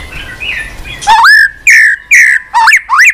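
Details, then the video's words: White-rumped shama singing tirelessly with many strange notes while flicking its tail on a perch: loud, rich whistles, each rising or held for a moment, separated by short pauses after a soft, noisy opening. "kích chòe lửa hót cực bền.hót liên tục"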